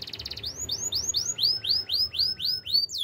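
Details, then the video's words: Wild canary delivering a brief trill followed by a steady series of loud, clear, rising whistled notes, roughly four per second, ending with a sharp downward note. "melodies canary bird sounds in the wild"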